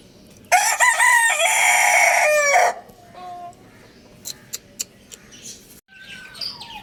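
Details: Crowing Lohmann Brown rooster delivers one loud, rough, sustained crow of about two seconds that drops in pitch at the end, followed by soft clicks and a few faint higher calls.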